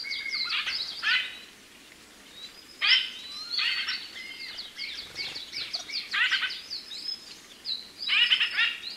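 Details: Calls of a White-winged grosbeak, Mycerobas carnipes: loud bursts of rapid, rattling chirps, each lasting about a second and returning every two seconds or so, with faint background noise between bursts.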